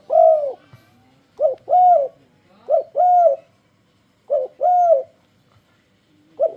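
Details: Spotted dove giving its luring song to draw other doves to sing along: five mellow coo phrases in quick succession, each a brief note then a drawn-out hollow coo, with quiet pauses between.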